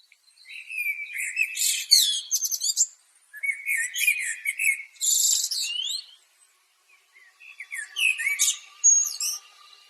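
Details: A common blackbird (Turdus merula), a true thrush also called Eurasian blackbird, sings three phrases, each a low, mellow fluted warble ending in a high, squeaky twitter, separated by brief pauses.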